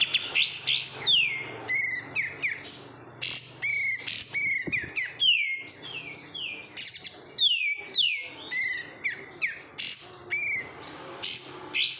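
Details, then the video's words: High, lively song of a captive oriental white-eye (kapas tembak), reared from a wild-caught bird: cascades of descending whistled slurs mixed with sharp chirps, tumbling on in bursts for twelve seconds. "menikmati suara kapas tembak KG"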